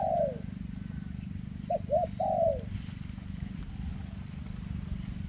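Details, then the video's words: A long falling coo from a spotted dove with a trembling leg, then one full 'rước'-style phrase: two quick rising notes and a drawn-out descending coo. After it comes only steady low rumbling noise. "Chú Chim Có Tặt Có Tài , Siêu Phẩm 2024 Kèm Rước Siêu Dầy ( Chim Bị Rẩy Giò )"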